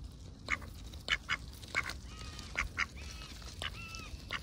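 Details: Ducks out on a heavily overcast day, going about their daily routines; short, harsh quacks in quick bursts, several birds calling over one another, with some soft, drawn-out nasal notes between them and low background rumble.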